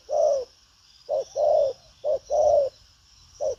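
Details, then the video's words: Field-type spotted dove, a strong cooer with busy manners, delivering urging coos with a tail: one long hollow hoot, then a short clipped note followed by a drawn-out coo, twice, ending on a short note, with gaps of quiet. "Đồng pha chân cua cứng gù| Nết chơi lăng xăng, thúc gù có lèo"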